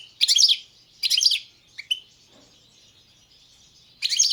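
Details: Goldfinch, subspecies balcanica, giving short dense twittering bursts about once a second, then a couple of thin single notes, a silence of about two seconds, and a fresh burst at the end.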